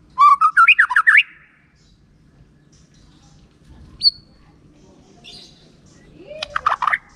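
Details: White-rumped shama song, described as a reliable lure that makes silent shamas answer with loud, open singing; a fast run of rich whistled notes swooping up and down, a lone high note, then a closing burst of notes, over a faint low hum.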